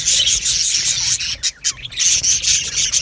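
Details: Budgerigar colony in an aviary, many birds chattering at once in a dense, high, scratchy warble with short squeaks, briefly dropping to near silence in the middle before the chorus resumes.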